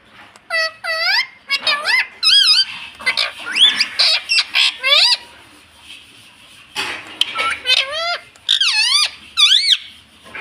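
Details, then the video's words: A talking pet parrot in India repeats a shrill, nasal, word-like "mummy" in quick bursts, with short pauses between phrases over about ten seconds. "Mummy Papa Bolne Vala Parrot"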